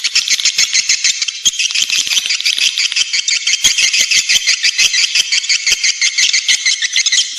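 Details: Swiftlet lure call to entice nesting, a relentless high rattling twitter from many birds, beating in fast uneven pulses near three per second, with scattered dry clicks.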